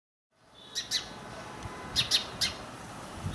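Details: Indian house sparrow, Passer domesticus indicus, a bird of towns and settlements in India: short bright chirps, a pair near the start and a cluster of three later, over a soft steady background hiss.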